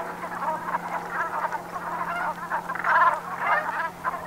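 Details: November sunset in the Gulf of Morbihan, Brittany, with Brent geese: a hoarse, bubbling chorus of low croaks that swells louder past the middle, backed by a steady humming tone.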